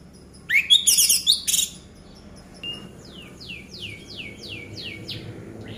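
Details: Orange-headed thrush song meant to coax silent birds into singing: a dense, harsh, chattering burst, then a series of about seven clear, downward-slurred whistles repeated several times a second.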